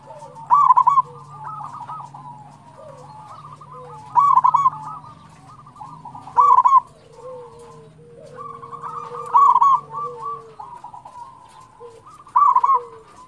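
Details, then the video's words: Local zebra dove song meant to prompt other doves to sing: loud rapid bursts of throaty staccato coos repeating every two to three seconds, five in all, over constant softer cooing from other doves. "PANCINGAN PERKUTUT LOKAL GACOR"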